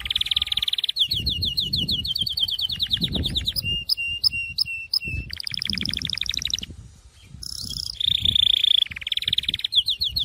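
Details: A Syrian canary sings a continuous run of rapid trills and rolls, high and bright, switching between buzzy rattles, clear whistled tours and sharp repeated notes.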